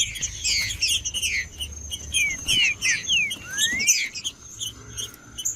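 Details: Caged green-winged saltator singing cold, used to warm up another bird: falling whistled slurs followed by one long rising whistle, with crowded high chirps and a steady high hum behind.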